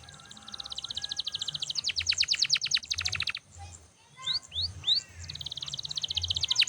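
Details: Canary singing loudly without pause, used for training other birds: fast high trills of repeated ticking notes, then slower descending sweeps, a brief break with rising whistled slurs, and another rapid trill.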